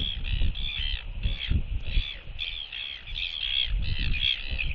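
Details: Northern royal albatross couple exchanging skycalls at the nest as the female arrives to take over incubation, filmed 16 December 2023 by nest camera; rapid rattling, braying bursts in quick succession, windy background.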